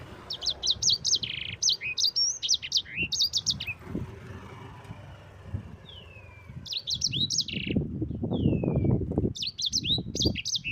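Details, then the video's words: Yellow-fronted canary (sanger) singing a rolling, continuous song for use as a training recording for other birds: bursts of high, sharp trills and short whistled slurs, with a quiet gap midway and low rumbling background noise. "Suara Burung SANGER GACOR Ngerol Pedas paling ampuh untuk Pancingan dan Masteran"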